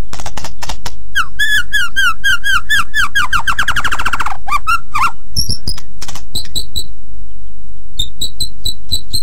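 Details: White-rumped shama singing for training other birds: rapid rattling series of repeated notes that speed up and fall in pitch, then sparse high chips and clicks.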